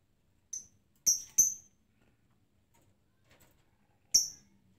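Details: Lovebird ticking ('ngetik') without any lure sound: four sharp, high squeaky chirps, two close together early, then a long quiet gap before a final chirp.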